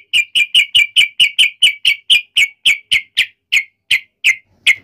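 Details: Series of sharp, clipped 'cuk' notes from a provoked yellow-vented bulbul, fast at first and gradually slowing, each note short and bright.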